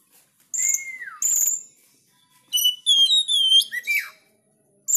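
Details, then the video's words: Oriental magpie-robin singing vigorously with a sharp voice: piercing high whistles, a long note sliding downward, then quick bright phrases of clear notes stepping up and down, delivered in short bursts with brief pauses between. "Kacer gacor ||suara tajam"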